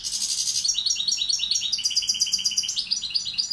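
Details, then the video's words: Tutor goldfinch, subspecies balcanica, delivers a continuous rapid twittering song of tinkling, liquid notes with buzzy trills. The phrases flow unbroken for over three seconds with clear, bright, high notes throughout. "Carduelis balcanica učitelj... Izbrojite mu ture"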